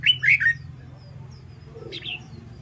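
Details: Red-whiskered bulbul in training for fighting song: a quick cluster of bright, slurred whistles at the start, then a soft murmur and a fainter chirp with a steady low hum beneath.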